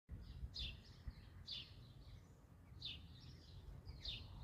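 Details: Eurasian blackbird family with young in the nest: four short, high, thin call notes, each a quick downward-sliding squeak, repeated roughly every 1.2 seconds over a steady low rumble of background noise.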